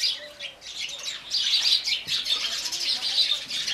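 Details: House sparrows drinking water chatter in a dense, overlapping stream of bright, high chirps, several birds calling at once with no pause.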